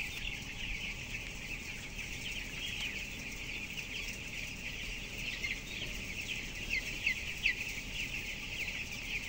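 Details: Flock of 12-day-old broiler chickens in a 7,000-bird closed house. Countless thin, high cheeps blend into an unbroken wash, with a few louder individual peeps near the end, all over a constant mechanical rumble.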